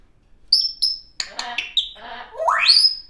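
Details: Young pet African grey parrot making funny noises, including R2-D2 style sounds: high, thin whistles and squeaks, a burst of buzzy chatter, then a long, loud, rising electronic-sounding sweep.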